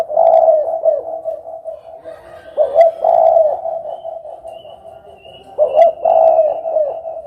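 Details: Spotted dove calling in deep, hoarse coos: three phrases spaced two to three seconds apart, each a stuttered start and a drawn-out rolling note, with faint steady cooing underneath.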